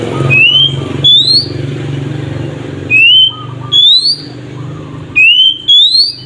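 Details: Oriental magpie-robin whistling its nyiul song to provoke other magpie-robins into singing. Three pairs of clear, rising whistles sound over a steady rumble of traffic.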